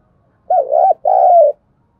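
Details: Spotted dove lure call used to rouse and train freshly caught birds: two deep, hollow coo notes, the first dipping and rising, the second drawn out and gently falling, with nothing else audible.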